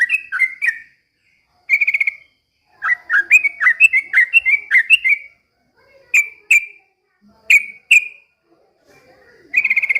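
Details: Yellow-vented bulbul copying white-rumped shama song: short sharp whistled phrases, a run of rolling slurred notes in the middle, then separate loud single whistles spaced about a second apart.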